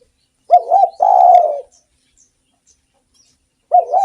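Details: Spotted dove singing actively, kept as a lure to stimulate other doves: a short throaty double coo, then a long rolling purr, pause, and another coo phrase starting at the end; quiet background.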